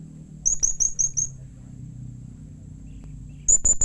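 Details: A string of five sharp, thin, high chirps from a blue-crowned hanging parrot, then near silence and a closing trio of piercing notes; the call is meant to get other hanging parrots responding.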